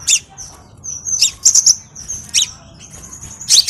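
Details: High, sizzling crimson sunbird song for luring and training other birds, mixing thin sustained whistled tones with sharp scratchy chips in quick irregular bursts.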